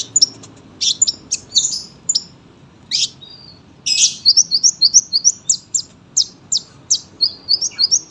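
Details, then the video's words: Sunbird singing vigorously: scattered high chips and short bursts, then a fast sequence of sharp repeated twittered notes, roughly three per second, sustained to the end. "KOLIBRI GACOR PANJANG SUARA RAPET"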